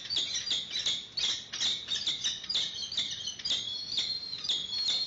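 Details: Peregrine falcons calling at a monitored nest in Santa Cruz during the first feed of a newly seen chick, March 2019. Continuous rapid chattering of grating, high notes, roughly two or three per second, keeps up without pause.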